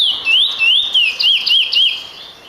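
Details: Finch singing, a caged songbird kept for song: a loud series of clear whistled notes rising and falling around a steady high pitch, looping in quick wavy phrases with no pause.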